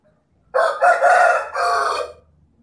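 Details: Crow of a Bledek rooster, a loud, hoarse crow of about one and a half seconds in three joined segments, the middle part strongest, ending with a drawn-out, fading note.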